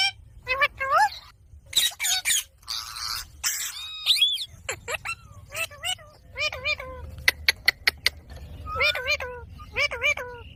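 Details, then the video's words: Green parrot kept as a pet, talking: harsh noisy squawks, then a sequence of clipped, speech-like syllables with bent whistled tones, plus several sharp clicks. "Parrot Talking video| Green Parrots moments"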